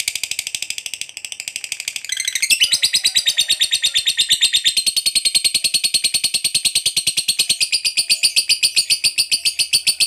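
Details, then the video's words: Lovebird giving a long ngekek chatter, calling to companions: a rapid, steady run of harsh, high chattering notes, about ten per second, continuing unbroken for the whole stretch. "LOVEBIRD Ngekek Panjang MEMANGGIL KAWAN"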